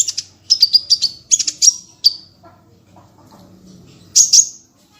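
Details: Small bird from a masteran recording of varied full tembakan song: a string of sharp high chirps and short trills, a quiet pause with faint low sounds, then one final burst of squeaky notes.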